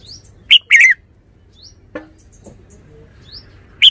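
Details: Red-whiskered bulbul singing a quick clipped note and a rolling warble, then faint high chirps, soft low knocks and another sharp note at the end.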